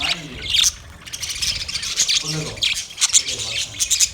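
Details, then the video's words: Several budgerigars in a large master cage chatter together in busy, scratchy high chirps and squeaky warbles, overlapping continuously with bright sharp notes scattered throughout. "Budgie chirping sound"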